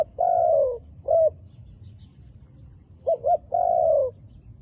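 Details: Dark-feathered wild dove giving a long, level-then-falling coo and a short note. A quick pair of clipped notes follows, then another drawn-out, gently descending hoot against quiet low background noise.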